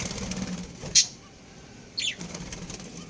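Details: Breeding pair of budgerigars chirping: two short, sharp, high chirps about a second apart, the second sliding downward, with low background rumble and light rustling between them.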